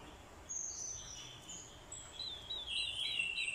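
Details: Orange-headed thrush decoy bird, with a female's call used to provoke a male into fighting song: faint high whistled phrases near the top of the range, a brief thin note early on, then warbling twitters later over a steady background hiss.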